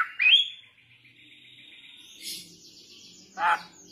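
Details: Young Bali myna song for luring birds: a sharp rising whistle leading into a long trilled, pulsing note, a high rasp, then a short harsh burst.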